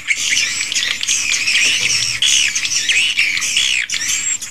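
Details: Swiftlets recorded inside the recordist's own swiftlet house: a dense, continuous chorus of high, chattering chirps and squawky twitters from many birds overlapping without pause, with a faint steady low hum beneath.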